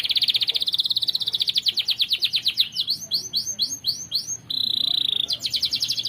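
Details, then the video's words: Canary singing a training song for cage birds: fast buzzy trill that breaks into a run of loud downward-sweeping whistled notes, then a steady high trill and more rapid notes. "KENARI GACOR. MASTERAN BURUNG TERBAIK"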